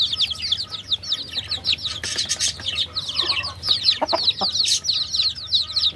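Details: A crowd of baby chickens peeping without pause: rapid, high, thin downslurred cheeps that overlap into a dense chorus, with brief soft rustling and tapping sounds beneath.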